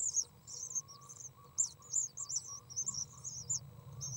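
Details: Eight-day-old Common Swift (Apus apus) young in a nest box beg to be fed by a parent on 6 June 2012, giving very high, thin, wavering twitters in quick bursts, almost insect-like, over a faint low rumble.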